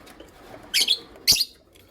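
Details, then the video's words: Creamino and lutino opaline lovebirds chirping in the morning: two loud, harsh, high chirps about half a second apart over a quiet background. "Lovebird Chirping Sounds"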